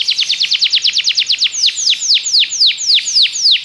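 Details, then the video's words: Belgian canary singing to encourage other canaries, rapid falling whistles that slow into longer, fuller downward sweeps about twice per second. "Canário belga seduz todos os canários para cantar - treinamento de canário"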